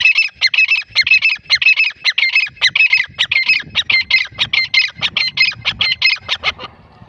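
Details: Lively grey francolin call: loud, harsh, high-pitched squawking notes in quick rhythmic bursts, about two per second, running for nearly seven seconds before fading to quiet.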